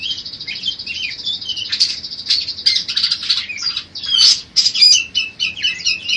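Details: Budgerigar song for training songbirds: a fast, continuous buzzy babble that shifts midway into louder squawky chirps and repeated short whistled phrases near the end.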